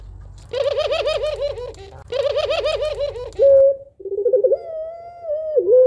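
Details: Puter pelung dove, a female calling to get a lazy male to coo, gives two loud bouncing pulsed coo phrases with rich overtones over a low hum, then a brief steady note and a rolling coo ending in a long falling tone.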